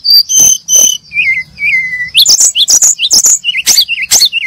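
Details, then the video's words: Brown-chested jungle flycatchers chirping: clear high whistles, then wavering slurred notes, followed by a lively run of sharp, rapid chirps with quick upward flicks. "the sound of brown chested jungle-flycatcher birds chirping"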